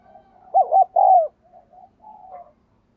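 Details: Spotted dove cooing: a loud mid-pitched phrase of three arched, hollow notes, the middle ones longest, followed by softer trailing coos. No other sounds stand out.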